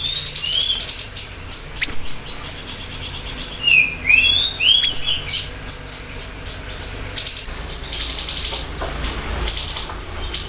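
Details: Lively siri-siri bird song, a lure and master recording: rapid strings of piercing high chirps, broken by several lower slurred whistles that rise and fall in the middle, then a dense, fast chattering run.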